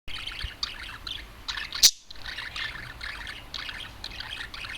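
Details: Adult male budgerigar, caged pet let out and perched alone, warbling steadily: soft chattering and scratchy twitters, with a sudden sharp click partway through.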